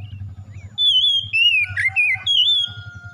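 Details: Oriental magpie-robin, a kept bird, whistling bright drawn-out notes that dip and rise, over a constant low engine-like rumble.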